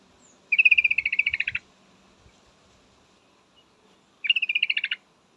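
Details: Yellow-vented bulbul female calling for a male, giving two bursts of quick, bubbly chattering notes, the first about a second long and the second shorter, separated by nearly three seconds of quiet.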